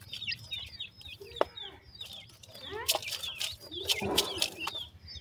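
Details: High, sweet peeps from black francolin chicks, several calling together in quick curved chirps. Sharp taps and a brief scuffling noise follow partway through.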